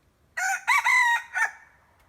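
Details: Decoy red junglefowl giving a full crow: short lead note, extended strong middle phrase, then a brief falling tail, clear and loud against near silence.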